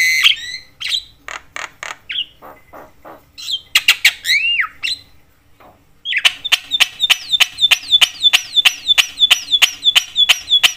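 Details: Javan myna in energetic, nonstop chatter meant to provoke other mynas: harsh squawks and whistles in the first half, then after a pause a run of sharp clicks, each with a falling whistled note, about every half second.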